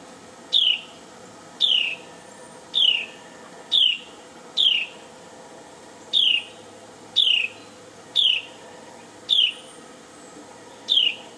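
A Carolina wren gives clear, high downslurred notes, one roughly every second, about ten in a row, over a faint steady background hum.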